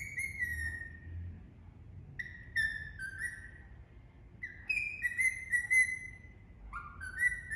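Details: A pet Indian ringneck (rose-ringed parakeet) singing: clear, sustained whistled tones that step and slide around one pitch, in phrases of a second or so with short gaps, over quiet room hum.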